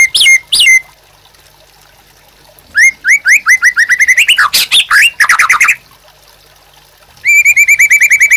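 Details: White-rumped shama, a gacor singing bird used as a master song for training captive birds: bursts of repeated whistled notes near mid pitch, a fast series of rising slurred notes, then a quick trilled run of even whistles.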